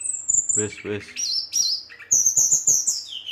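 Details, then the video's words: Brown-chested jungle flycatcher in agitated rolling song meant to provoke rivals, with high thin whistles, buzzy trills and rapid warbled notes; a few low thumping sounds early on. "SRDC Gacor Ngeroll, Sikatan Rimba Dada Coklat ngamuk memancing emosi srdc lain pancingan srdc lain"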